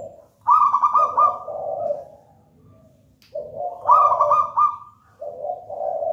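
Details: Wild-origin local zebra dove, taken from a nest in a raja banana plant, singing steadily in the manggung style. Two cooing phrases open with a short low note, then a rolling, vibrating higher coo that settles into lower purring notes, separated by a brief pause.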